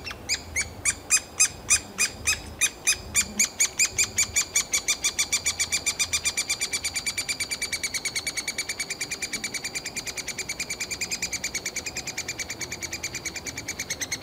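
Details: Three-toed woodpecker chicks in a tree cavity in summer beg in a fast, high, scratchy chatter of many calls per second, loudest at first, then settling into a steady, softer stream, calling the parents to bring insects.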